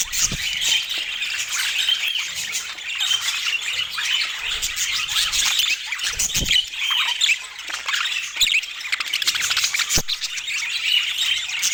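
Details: Long stretch of lively budgerigar chatter: rapid overlapping squeaks, chirps and warbles with scattered soft clicks and knocks.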